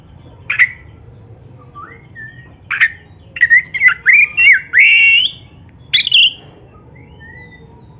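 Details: Oriental magpie-robin, black-breasted type, song meant to get caged birds singing: scattered sharp notes, then a central burst of rising whistles and a buzzy sustained phrase, followed by a lone high upslur and quiet gaps.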